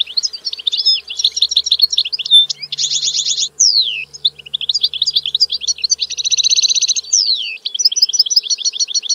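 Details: Extended European goldfinch song: fluid tinkling twitters, two dense buzzy trills each followed by a long downward-sliding slur, and bouncy repeated chirps at the end; faint low hum underneath.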